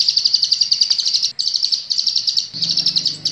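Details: Sunbird (kolibri ninja) heard in a master recording for training cage birds: a continuous, rapid stream of piercing high chirps with a short break, over a low mechanical hum that strengthens near the end.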